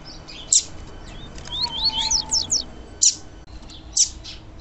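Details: Call of a female double-collared seedeater, used to excite males. A rapid string of rising high twitters is framed by loud single chips repeated roughly every second, with a soft lower whistle beneath.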